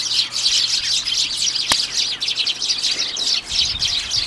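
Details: Flock of Eurasian tree sparrows noisily gathered at a garden bird table in Japan on 2 January, winter; dense, overlapping high chirps and tweets chatter continuously with hardly a pause, plus one sharp click partway through.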